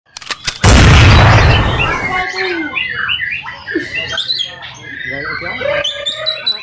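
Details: Caged white-rumped shama at a songbird practice contest in Baserah during the pandemic sings varied, rich whistled phrases slurring up and down after a loud rushing burst of noise, with human voices.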